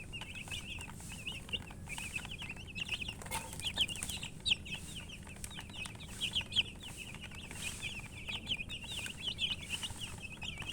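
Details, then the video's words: Baby chicken chicks peeping nonstop: many birds give quick high chirps that wobble up and down, overlapping into a steady chatter, with a few louder peeps standing out and faint low hum beneath. "Baby "Chicks Chirping" Sound"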